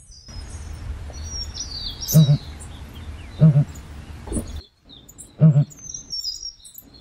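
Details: Deep, hollow booms of a southern ground hornbill, three separate low notes spaced one to two seconds apart, over a low outdoor rumble and faint high twittering of small birds.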